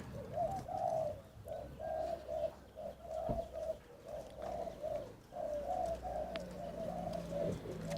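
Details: White domestic spotted dove, the fourth of several caged birds, probably female, with a small, sharp, clear voice: a steady run of short rounded coos, several per second with brief pauses, over low room hum and a faint knock.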